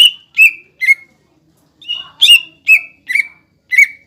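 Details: Green cucak ijo singing as a provoking lure for young birds: sharp whistled notes with falling tails, three quick notes, a short pause, then a faster burst of five, in a quiet background.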